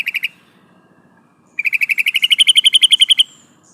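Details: Female sooty-headed bulbul calling the male, used as a lure: a brief opening burst, then a long run of about twenty rapid chattering notes rising gradually in pitch.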